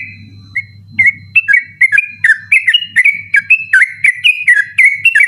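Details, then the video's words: Sooty-headed bulbul, recorded at night for tutoring other songbirds, starts with a few scattered whistles then builds into a rapid, persistent 'ropel' string of bright slurred notes; low hum throughout. "burung trucukan ropel ngotot dimalam hari cocok buat masteran ropel malam"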